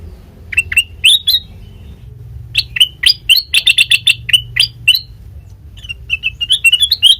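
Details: Sooty-headed bulbul lure song meant to draw answers from untrained birds: lively strings of crisp chirps, fast and loud in the middle, ending in softer rising notes, over light background hum.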